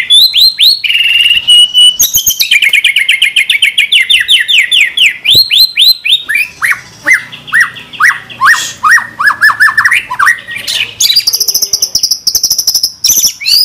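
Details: Murai batu, the white-rumped shama, sings a training song packed with 'tembakan' shot phrases. It runs through long cascades of rapid descending whistled sweeps, loud sharp chips, rattling trills and a high ringing close.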